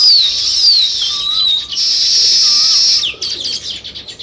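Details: Sparrows twittering together in a dense high chorus with sliding chirps, then it breaks into separate chirps; a lower whistled note repeats faintly beneath.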